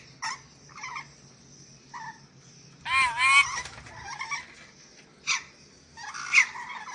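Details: Sulawesi ornate lorikeet calling in irregular bursts, short nasal chatters and a long grating double screech in the middle, with a further shrill note late on and a faint steady high whine behind.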